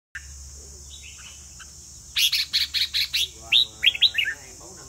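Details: Vietnamese red-whiskered bulbul singing in a competition: a quick run of about eight bright, clipped whistled notes, then a few lower slurred phrases, over a constant high-pitched hiss and a faint low hum.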